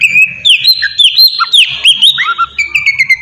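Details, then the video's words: Oriental magpie-robin singing to draw a reply from other birds, a dense run of sweet whistles, sharp slurred notes and quick chirps with no break, faint low rumble beneath. "suara pancingan burung kacer"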